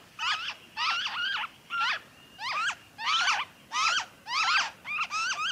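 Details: Noisy friarbird in Victoria, Australia, in February 2023, calling in harsh, cackling two- and three-note phrases with a nasal, rising quality, about eight bursts in quick succession.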